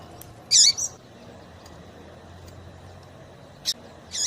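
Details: Calls of a female double-collared seedeater, used to excite males for singing tournaments: sharp high chirps, a paired one early and two more near the end, separated by long quiet gaps.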